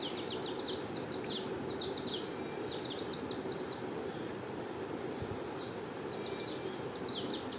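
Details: In the morning, motherless chicken chicks raised apart from their mother peep together loudly, calling for food: thin, high, downslurred cheeps, overlapping over a steady background hiss.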